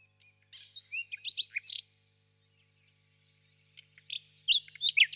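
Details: Common nightingale song: two bursts of varied whistled and chirping notes, the first around the middle of the clip and the second near the end, separated by a silent pause, with a faint low hum beneath.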